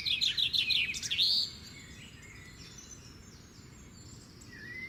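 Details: Sparrow chirping: a loud burst of rapid, repeated high chirps lasting about a second and a half, followed by fainter, scattered chirps from other birds over a steady low background hum.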